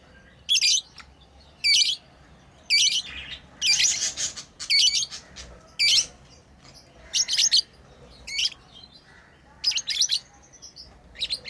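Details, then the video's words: Playing pet lovebirds utter repeated high, squeaky chirp bursts, nearly one per second, steady and loud against a soft background hum. "Lovebirds playing & Chirping sounds"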